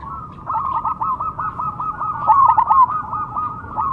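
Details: Kept zebra dove of the Perkutut Cemani type pouring out a long, even series of rapid coo notes, briefly louder and trilled midway, with no break.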